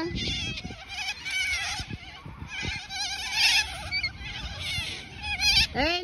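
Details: A large flock of cockatoos eating weeds on the ground in Centennial Park gives overlapping harsh squawks and chattering calls. The birds are unafraid of people while children chase them until they fly off. A person talks briefly at the start and end.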